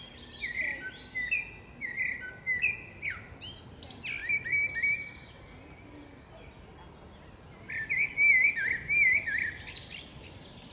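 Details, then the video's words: Common blackbird, a female, sings in woodland with varied mellow whistled phrases, a pause of a few seconds, then a rapid wavering warble finished by scratchy high notes. "Dźwięk śpiewu kosa. Samica kosa śpiewa. Kos śpiewa w lesie. sounds and singing of the blackbird"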